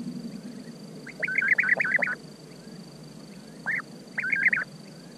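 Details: European bee-eater calls: a burst of rolling, purring trilled notes strung together, a pause, then one single call and another short rolling series, over a low rumbling background with a thin steady high hum.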